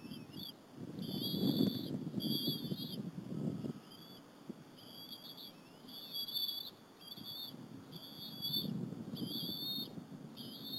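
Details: Bald eagle eaglets, two of them, eating a squirrel with their mother at the Berry College nest on an April 2015 afternoon: repeated high, thin whistled calls in short bursts, with low thumping and rustling from the feeding in between.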